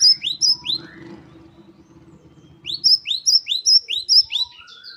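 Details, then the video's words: A great tit, or gelatik batu, sings a masteran tutor phrase in wucit-wucit style: a few rising whistles, a lull with low background hum, then a fast run of sharp upslurred notes. "Gelatik batu gacor | Glatik Wucit2 10 variasi Masteran Gelatik Gacor | Parus Major."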